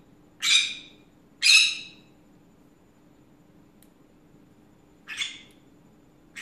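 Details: Pet green-cheeked conure chattering through an afternoon rant: three harsh, raspy squawks, two close together early on and a softer one after a pause, over a faint steady indoor hum.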